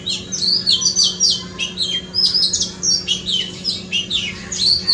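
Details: An Oriental magpie-robin in a front yard sings a rich, varied run of high whistles and sweet chirps, each phrase changing pitch, with a steady low hum underneath.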